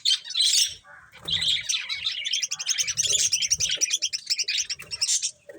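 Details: A group of budgies eating corn produce a rippling, warbled chatter of rapid high chirps, rising and falling in loudness throughout.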